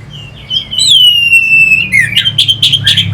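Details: Orange-headed thrush singing to rouse fighter birds: a long, even whistled note, then a string of buzzy, rough notes repeated quickly, over a faint low hum.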